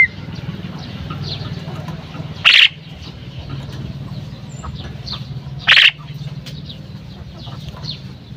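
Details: Calling female common myna: two brief, harsh, rasping bursts about three seconds apart, standing out over a steady low rumble of background noise.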